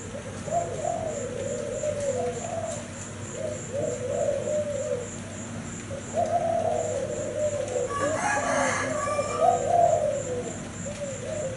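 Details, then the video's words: Zebra dove sings soft, rolling, staccato coos in long trilled phrases over a faint high insect-like pulsing, with a brief rustling burst near the end. "Cu gáy thái bông kem"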